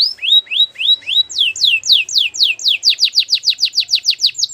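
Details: Belgian canary singing its powerful song: clear down-slurred whistled notes repeated at an even pace, then quickening into a fast run of loud descending sweeps, about four or five per second.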